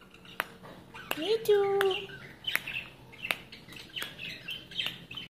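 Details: Talking green ringneck kept as a pet gives one low voiced utterance that slides up and levels off, followed by sharp clicks and soft, high chirping notes.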